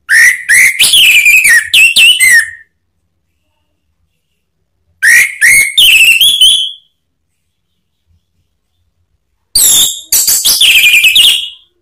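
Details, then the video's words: Male orange-headed thrush song used to provoke a response: three loud bursts of rich, varied whistles and slurred notes, each about two seconds long, separated by silent gaps. "ANIS MERAH SPONTAN EMOSI NYAUT BUNYI NGEPLONG"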